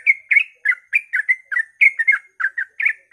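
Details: Sooty-headed bulbul singing at dawn, used to provoke other bulbuls into song: a dense run of short bubbly whistled notes around the middle register, repeated several times a second with no pauses.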